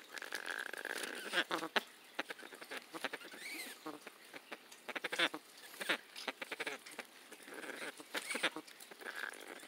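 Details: Caged-home Amazon parrot sitting on a popcorn bag and being stroked by its owner, giving repeated hoarse, duck-like squawks and a few short upward-sliding whistles amid constant crinkling and popping of the bag.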